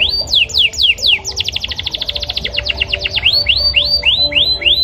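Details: A male yellow canary sings bright, rapid phrases: falling whistled notes, then a fast trill of repeated chips, then rising slurred whistles, all high-pitched and continuous.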